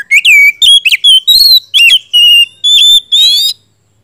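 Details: Oriental magpie-robin in continuous gacor song, used to coax a non-singing bird: a dense four-second run of loud whistled notes, some swooping down, some held steady, ending in a rising buzzy trill.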